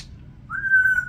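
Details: A 36-year-old female Congo African grey parrot gives one clear, pure whistle after a short pause, rising slightly then holding about half a second.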